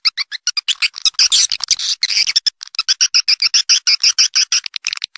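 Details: Swiftlets giving a fast string of sharp, clipped chirps, evenly spaced several per second, with a denser trilled burst in the middle.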